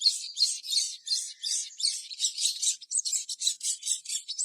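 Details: Sogon bird giving a steady stream of fast, scratchy, high buzzy notes, about three per second, recorded as a lure to stir other sogon into song; softer than the other bursts.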